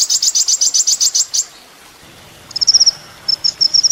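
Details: Olive-backed Sunbird (kolibri ninja) on a master recording for training songbirds: a rapid run of high, buzzy pulses, a pause, then shorter high sharp chip bursts in quick series.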